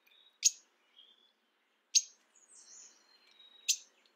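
Three sharp, high chip notes from a Mourning warbler, spaced about one and a half seconds apart, with faint thin whistles from other birds between them.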